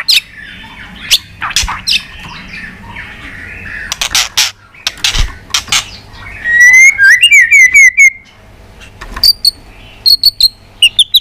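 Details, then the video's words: White-rumped shama stirred to fighting song with tail-flicking ticks: scattered sharp clicks, then a rapid trill of rising whistled notes, then short repeated high whistles. "chòe Lửa đập đuôi tạch kích căng, kích Chòe Lửa hót đấu căng lửa.chòe Lửa hót giọng dài"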